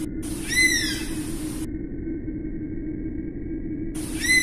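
Oriental honey buzzard giving high, thin whistled notes that rise and then slide down, one near the start and another at the end, over a steady low rumble.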